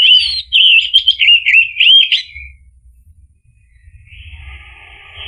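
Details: Orange-headed thrush song played to get a bird singing again: a loud, rapid, twittering warble of repeated rolling notes for over two seconds, then quiet with a faint hissing trill.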